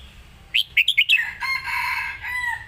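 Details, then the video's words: One lively phrase of five quick, sweet whistled notes from a caged red-whiskered bulbul in the Lak Wai master song style. A droning, harmonic call from another bird follows. "นกเสียงทอง!!เพลงลากหวาย สุดยอดเพลงแม่บท#นกกรงหัวจุก"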